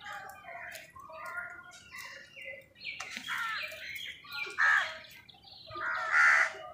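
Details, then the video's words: Wild crows fighting with other birds over food. Harsh, ragged caws overlap irregularly and grow louder and more strained toward the end, mixed with squabbling calls from several birds. "crow bird live crowing sounds| Crow Soud কাকের ডাক | Crows fight with birds Crow Sound"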